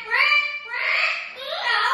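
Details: A pet Amazon parrot in Florida, known for screaming while its owner practised guitar, gives loud, harsh, voice-like squawks: three drawn-out bursts in two seconds, rich in overtones and rising and falling in pitch.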